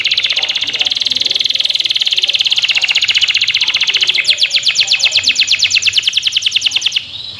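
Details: Young local canary set out in morning sun to sing higher, delivering a rapid buzzy trill that shifts after four seconds into slower, louder, evenly spaced sweeping notes, then stops.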